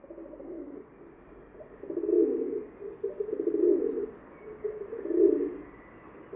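A rock dove coos in low, throaty, rolling phrases, each lasting about a second and repeated every second or two, over a quiet background.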